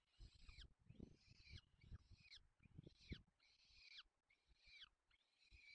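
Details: Feeding of young peregrine falcons in the Barycz Valley, Poland, May 2020: six rasping, arched squeals, each falling at the end, repeated under a second apart over low knocking.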